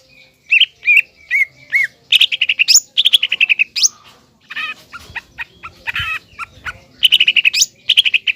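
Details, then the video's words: Green leafbird in full song, played to provoke a spotted young leafbird into anger and fighting spirit: bright whistled notes, short repeated chirp runs and rising sweeps, tumbling quickly with brief pauses. "CUCAK IJO GACOR MEMANCING CUCAK IJO TROTOL AGAR EMOSI DAN PANAS"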